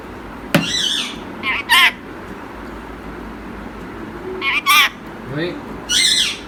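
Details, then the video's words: Indian ringneck parrot, a tame talking male pet, gives repeated pairs of gravelly speech-like syllables, about three groups, alongside a man's short spoken words and a sharp click. "Assalam alaikum (السلام عليكم) | Cute urdu speaking Indian Ringneck Parrot"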